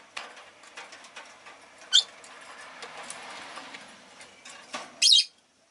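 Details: Pet Rosy-faced lovebirds, all calling fairly often that day, give two sharp, shrill chirps over steady town noise like passing traffic, which stops abruptly at the end.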